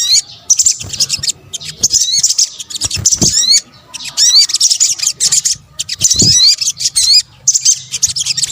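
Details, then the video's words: Indonesian sunbird, known locally as sogok ontong, used as a lure: bursts of rapid high chattering with quick rising whistled slurs, separated by brief pauses and a few soft thumps. "PANCINGAN SOGON BUNYI AMPUH | kombinasi suara sogok ontong"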